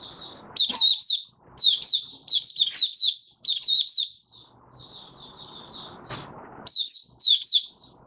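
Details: Oriental white-eye, a kept bird recorded in January 2022 five days after monthly deworming, sings rapid high chattering phrases of slurred chirps. Phrases are repeated with short gaps, and a soft hiss and one sharp click sound underneath.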